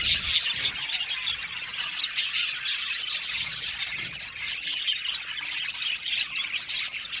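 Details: Australian budgerigar colony calling in an aviary, scratchy squawks and quick twitters in a loud burst at first, then a slightly softer ongoing chatter.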